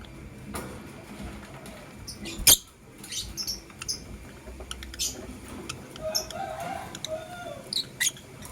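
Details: Lovebirds, a blue opaline and a green personata, in the morning; scattered sharp, high chirps and squeaks at irregular intervals, one loud short chirp standing out, over a quiet indoor background.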